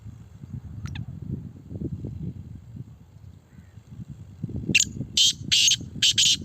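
Grey francolin giving four loud, harsh, shrill notes in quick succession near the end, over steady low rumbling noise and a faint thin whistle earlier.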